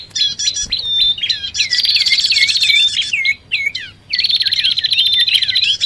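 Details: Lure mix of bar-winged prinia and common iora: busy, high chirping with many curved, looping whistled notes, a pause near the middle, then a renewed rattling chatter.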